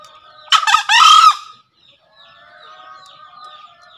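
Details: A green junglefowl, in a recording used to encourage newly caught or silent junglefowl to call, lets out a two-part crow: a clipped raspy note and a longer grating buzz. Faint chirping birds follow in the background.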